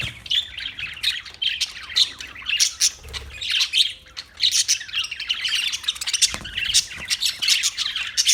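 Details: Dense parakeet chatter of overlapping high chirps, squeaks and short squawks continuing throughout.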